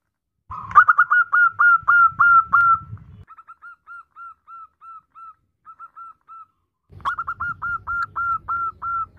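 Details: Female zebra dove calling to the male: bursts of short, hooked, whistled coos on one steady pitch, first loud and quick, then softer and spaced, then loud again, over a low steady hum.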